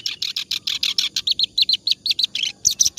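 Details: Continuous song of the clamorous reed warbler (kerak basi), meant for tutoring other songbirds: harsh buzzy chirps giving way to clearer, looping whistled notes, all fast and closely spaced.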